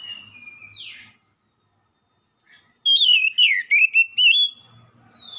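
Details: Oriental magpie-robin lure song meant to draw a quick reply: a soft whistle and a falling slur, a pause, then a loud burst of rapid, varied, sweet whistled notes lasting about a second and a half, with a faint low hum.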